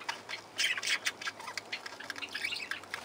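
Parakeets chatter in harsh, scratchy squawks and quick high chirps, several bursts crowding together with barely a pause, over a faint background hiss.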